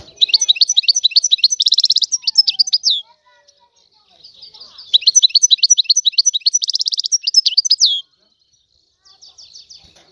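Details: Free-living Algerian goldfinch in song: two bursts of about three seconds each of fast, high, liquid twittering with buzzy trilled segments, separated by a brief pause, then a few soft notes at the end.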